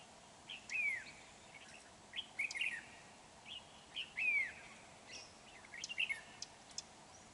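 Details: Red-whiskered bulbul used as a lure bird for trapping, recorded 31 January 2019: short whistled phrases of warbling, slurred notes, several falling sweeps, delivered in bursts about every one to two seconds against light background hiss.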